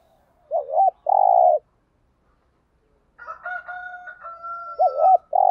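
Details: Spotted dove cooing to excite another dove: wavering double notes and long buzzy flat coos, with a steady higher harsh tone running through the middle section.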